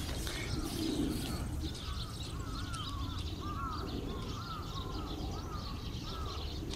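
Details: Eurasian tree sparrows in a noisy autumn flock, recorded 18 November 2011: dense, overlapping high chirps chatter continuously, while a separate series of lower, arched notes repeats through the middle of the recording above a steady low rumble.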